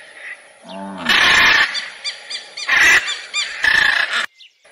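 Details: Macaw bursting into a run of loud harsh squawks, one long grating scream followed by shorter rasping calls, preceded by a brief lower-pitched sound.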